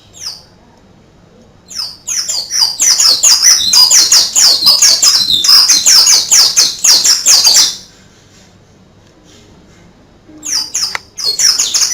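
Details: Oriental white-eye singing a canary-style song: dense bursts of high, rapid twittering notes for about five seconds, a pause in near silence, then further quick high chirps near the end.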